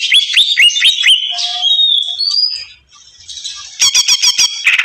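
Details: Greater green leafbird in an agitated mood. Opens with a string of upswept whistled notes, then a drawn-out rising whistle, a short lull and a burst of fast, sharp repeated chirps.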